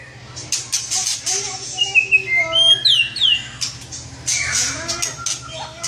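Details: White-rumped shama in lively gacor song, giving sweet whistled phrases with steep up-and-down slurs and a high falling sweep, backed by softer scratchy chatter and a faint low hum.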